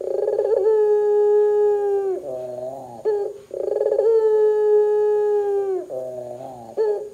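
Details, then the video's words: Barbary dove in vigorous 'gacor' calling, used to get other doves calling: a rolling pulsed start drawn into a long steady low coo, then a lower throaty dip; the pattern repeats twice. "suara PUTER gacor Bikin PUTER Lain dengar cepat IKUT BUNYI"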